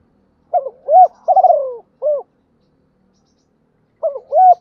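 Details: Decoy spotted dove cooing to challenge and quickly call in a wild bird. One full low phrase of rounded coos with a rough falling middle note and a clipped ending, then the start of another phrase.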